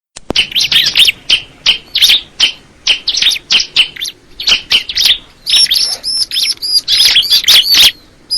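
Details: Bar-winged prinia singing a rapid run of high, sharp chirps and short whistled notes, bursting in quick uneven bursts with brief gaps between them.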